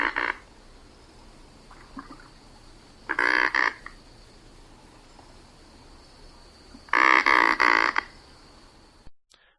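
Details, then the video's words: Anhinga giving three bursts of rapid, dry, harsh croak-like clicking rattles, the last the longest, separated by quiet pauses. "the sound you just heard was that of the anhinga"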